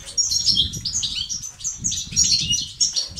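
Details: Song of a European goldfinch for stimulating silent males: quick, high tinkling notes and slurred whistles run together in a lively chatter over faint low noise.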